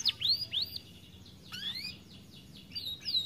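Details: Canary, a caged aviary bird said to sing little because it is too fat, giving sparse high whistled upslurred and arched notes with pauses between phrases.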